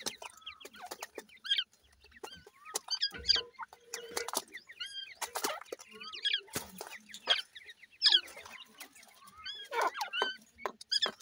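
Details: Dhakni versus Irani teetar chicks scuffling and playing: steady chatter of short, high, slurred chirps in loose bursts, with scattered taps, clicks and brief wing flutters.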